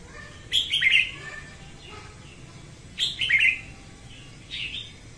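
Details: Female red-whiskered bulbul singing in the morning, used to train birds and bait traps: two warbled phrases of several fast descending whistled notes, then a softer short note near the end.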